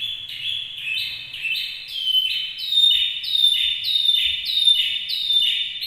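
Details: Model canary song for teaching other canaries: a continuous chain of loud, high rolling trills and sharp whistled notes, each phrase repeated roughly every half second with steady rhythm, on a quiet background.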